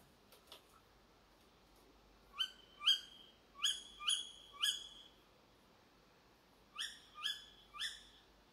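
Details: Tawny owl calling behind a house at 4 a.m., giving sharp, shrill calls that rise and then drop, in quick runs of two or three about half a second apart, against a quiet background.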